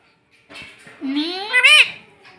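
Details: Talking baby Indian ringneck parrot, a pet that says "mummy": a single drawn-out voiced phrase sliding steadily upward, then peaking and dropping sharply, speech-like in tone, indoors.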